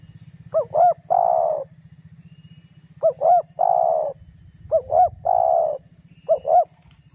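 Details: Spotted dove giving its lure call meant to provoke rival doves, four phrases of two short hooked coos followed by a longer, steady, husky coo, over a constant low electrical hum.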